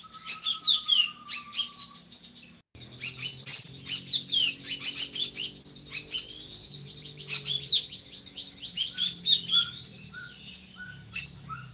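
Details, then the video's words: Drongo kept by Indonesian songbird hobbyists as a tutor bird for other birds, its voice said to be loud and monotonous: dense harsh high chattering bursts, a long level whistled note at the start, then short dropping whistles near the end. "SRIGUNTING GACORRR"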